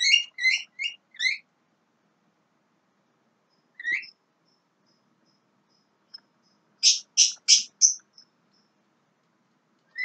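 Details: Young Javan myna giving short harsh, stacked chattering calls: a quick run of four notes, a single note near four seconds, then a louder burst of four rasping notes, in a quiet setting.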